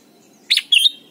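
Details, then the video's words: A single Red-whiskered bulbul phrase from Thailand, for teaching young birds: a buzzy burst of notes followed at once by a clear, sustained whistle that wavers gently, heard against a soft low drone. "นกปรอดหัวจุก Thailand Bird: เสียงดีมาก (สอนลูกไก่) เต็ม - ฝึกร้องเพลงร้องเพลงยอดหรือเสียงบิด"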